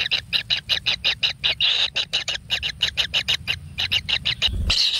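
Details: Kingfisher chicks in a natural nest being fed whole frogs: loud, harsh, rasping calls repeated about three times a second in a steady rhythmic series, with a brief low thump near the end.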